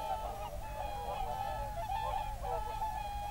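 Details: Whooper swans calling together in a national park on a February evening, 7 February 2023, alongside geese: overlapping nasal honking notes pile into a continuous chorus over a steady low rumble.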